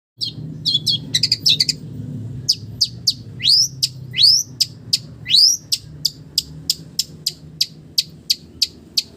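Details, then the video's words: Long-tailed shrike song filled with imitations of village birds: high bright chip notes repeated about every third of a second, mixed with rising upswept whistles and a few rapid chattering bursts, over a faint low hum. "SUARA BURUNG CENDET ISIAN BURUNG KAMPUNG"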